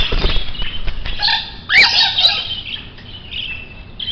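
A grey parrot gives one harsh, bending squawk midway, with thin whistled notes around it and soft flapping and rustling at the start.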